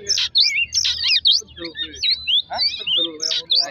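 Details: Oriental magpie-robin song played as a lure to provoke singing. A rapid, dense run of varied high whistles, sweeping and warbling notes with harsher buzzy bursts. Brief pauses come around the middle and near two and a half seconds.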